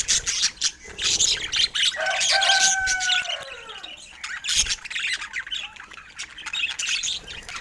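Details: Budgies chattering in bursts of high scratchy chirps, with a sustained smooth tone gliding slightly downward partway through, then uneven twittering and clicks.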